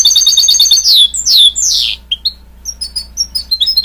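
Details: {'caption': 'Goldfinch-canary hybrid (mule), a cross between a goldfinch and a canary, singing loudly: a rapid high trill, then descending slurred whistles and short bright chirps and twitters, with a faint low hum underneath.'}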